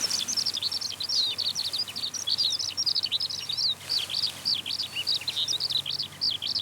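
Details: Eurasian skylark pouring out its song while rising into the sky. A continuous rapid stream of high, chirping and trilling notes runs without pause over a quiet background.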